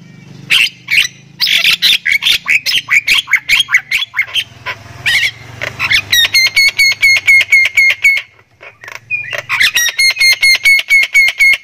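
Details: Javan myna of the Thai variety, very vocal and able to cackle like human laughter: long run of rapid harsh chattering notes, breaking into bursts of ringing, evenly repeated squawks, with a low hum in the background.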